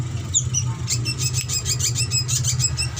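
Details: Drongo song used as a master recording to train birds and prompt them to sing: rapid series of sharp, high chirping notes repeated several times a second, over a steady low droning hum.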